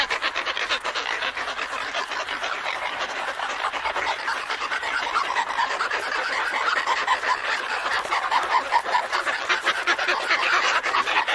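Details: A pair of Antarctic petrels in a colony at Scullin Monolith, Antarctica, recorded close up, trading harsh, rapid cackling calls, about two bursts a second, over dense continuous colony chatter.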